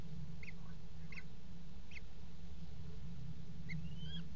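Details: Common kestrel at a nest box in a water tower, 5 February 2018, around mating on the box edge: three spaced, short, wavering high calls, a pause, then one more call and a thin rising whine over a low hum.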